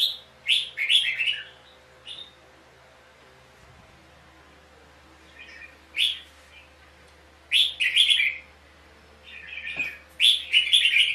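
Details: Red-whiskered bulbul dueling song, given as decoy sound to train and stimulate other bulbuls, from a trapping scene with fighting birds: bright warbled phrases in short bursts with sharp high notes, separated by pauses of one to three seconds, over a faint steady hum.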